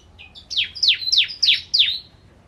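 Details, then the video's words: Bar-winged prinia in the "ciblek kristal" style, used to teach song to oriental magpie-robins. Two short, soft high notes open the phrase, followed by four strong downslurred whistles, each trailing into a thin sustained tone. "Masteran Ciblek Kristal Gacor"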